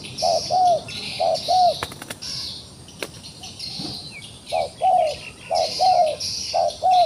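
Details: Low paired coos from a wild pigeon fighting in a trap in rural Cambodia, a brief note then a longer one, broken by a pause with wing flapping and clicks before the cooing resumes; high chirping behind.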